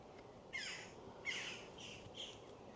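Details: Jackdaws give four harsh, raspy, squawking calls about half a second apart over a low hum, from a boisterous group in trees at Rodley Nature Reserve, West Yorkshire; possibly young birds among them.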